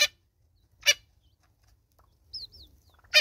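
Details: South African Natal spurfowl mother with chicks: three harsh broadband rasps, with two short high wavering whistled chirps in the gap before the last note.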